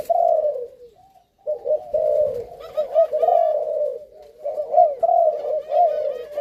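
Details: Spotted doves of a Malaysian line, a male and female breeding pair kept captive, cooing in throaty rolling phrases after a brief gap, with thin chirps of other small birds in the background.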